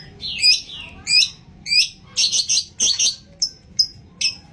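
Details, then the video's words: Long-tailed shrike performing a song rich in imitated notes, used as a lure for other shrikes: spaced bursts of high, buzzy chirps, then a denser cluster of harsh tweets, then single sharp notes. "CENDET ISIAN GANAS Pancingan Ampuh"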